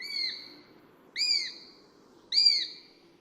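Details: A Eurasian sparrowhawk (Accipiter nisus) gives three thin, high, slightly downslurred whistled calls about a second apart, over a faint low background hum.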